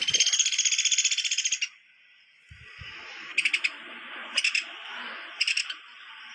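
A woodpecker gives a fast, high, harsh rattling series, then short bursts of three or four sharp notes about once a second, over a steady background hiss.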